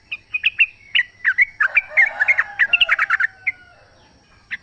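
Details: Wild sooty-headed bulbul singing in its natural habitat, used to prompt caged birds into answering: a rapid run of bubbly, chirpy notes of varied pitch, dense in the middle, then fading to a few isolated notes.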